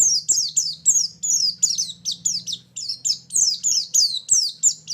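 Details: Lure and filler song of a white-eye, called pleci, for attracting birds to a trap: rapid, steady high notes, each slurring downward, about three per second, over a faint low electrical hum.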